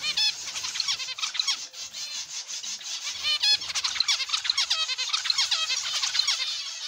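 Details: Zebra finches in an aviary, many birds calling at once: dense overlapping nasal, buzzy notes with harmonic stacks, rapid chattering throughout with no single bird standing out.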